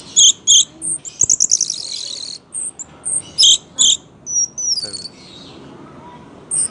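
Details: A captive Orange-headed thrush in full, vigorous song sings high, bright phrases: paired squeaky notes, a fast buzzy trill, and sliding rising whistles, separated by short pauses.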